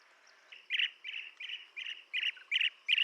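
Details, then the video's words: Blue-tailed bee-eater giving short burry trilled chirps, about seven in three seconds, growing louder toward the end, over a faint steady insect drone. "Tiếng chim Trảu đuôi xanh - Blue tailed Bee eater"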